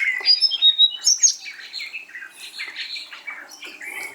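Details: Tickell's blue flycatcher, blue with a yellow chest, calls repeatedly from cluttered cover in the Anantagiri forests, apparently responding to calls, giving high, thin whistled notes and quick twittering phrases, several a second, sliding between about two and eight kilohertz.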